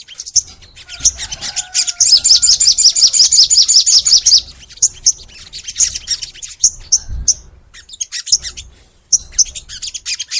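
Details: Crimson sunbird singing at length in the full nembak style: a loud, rapid, evenly pulsed high trill lasting over two seconds, flanked by sharp high chirps and short whistles repeated irregularly.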